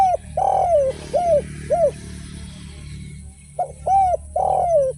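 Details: Actively singing spotted dove (derkuku) in 'without kuk' and 'kuk 1' styles: one phrase ends with a long coo and three short arched coos. After a pause, a second phrase starts, all over a steady background hum.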